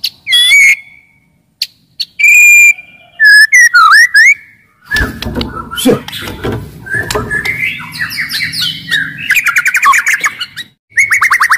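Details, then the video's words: Loud, aggressive white-rumped shama song used to provoke other shamas into singing and fighting; clear whistles and upslurred notes at first, then rapid chattering and fast repeated trilled phrases, with bursts of rustling noise. "MURAI BATU GACOR , CEPAT MERANGSANG BUNYI, GACOR & FIGHTER"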